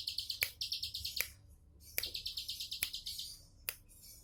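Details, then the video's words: Two bursts of rapid, high chirring notes from a bar-winged prinia, sung in relaxed 'tembakan' fashion, separated by a short gap and marked by loud clicking snaps. "Tembakan santai ciblek sawah"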